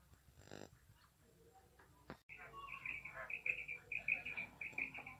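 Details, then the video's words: Female quail, after a faint rustle and a click, gives a fast string of short, high, squeaky chirps. They come in uneven clusters of two or three over a few seconds, indoors. "female quail sound"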